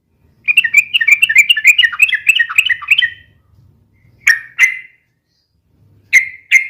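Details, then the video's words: Sooty-headed bulbul (trucukan) in lively, noisy song used for lure and tutor recordings, described as fast and long: a rapid chattering run of bubbly notes for about three seconds, then separate loud harsh chirps. "SUARA BURUNG TRUCUKAN RIBUT UNTUK PIKAT DAN MASTERAN ,SUARANYA ROPEL DAN PANJANG"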